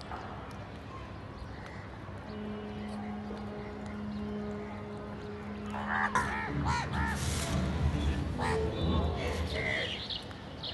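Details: Crow giving a burst of harsh, nasal caws in quick succession during the second half, after a steady low droning hum and faint background noise.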